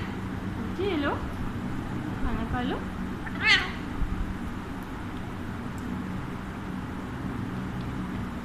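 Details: A pet Alexandrine parakeet in India, being fed sunflower seeds, talks in a few nasal, wavering, voice-like phrases, then gives one sharp shrill squawk over a steady low hum.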